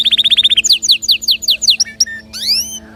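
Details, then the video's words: Canary singing to stimulate other birds: a rapid run of short notes, slower falling whistled strokes, then a rising sweep and fading call. "تغريد كناري يحفز طيورك على الغناء"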